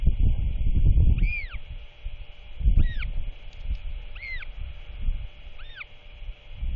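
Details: A royal albatross chick being fed by its father before dark, 27 March 2024, repeats four clear arched squeals about every 1.5 seconds, some doubled, with wind rumble underneath.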